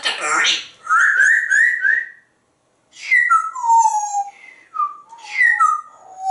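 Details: Pet parrot indoors imitating a grackle-like call while interacting with its owner: a harsh burst, then whistled phrases stepping downward, with a pause between them.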